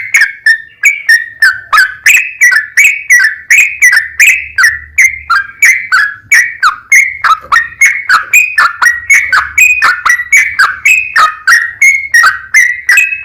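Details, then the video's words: Lure recording of a sooty-headed bulbul singing a long, unbroken song: quick slurred whistles, rising and falling, repeated about three times a second with hardly a pause. A faint low hum sits underneath. "TRUCUKAN GACOR ROPEL PANJANG Buat PAncingan TRUCUKAN agar Bunyi"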